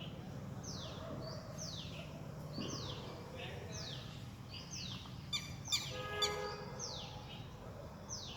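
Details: Red-wattled lapwing in a neighbourhood park, whose distinctive call is likened to "did he do it": sharp high descending strokes repeated about every second, with a louder harsh harmonic burst midway over low steady background rumble.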